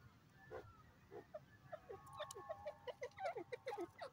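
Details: Grey francolin, locally called teetar: a run of short, hoarse notes that quickens and swells, reaching about six per second toward the end, over low background noise.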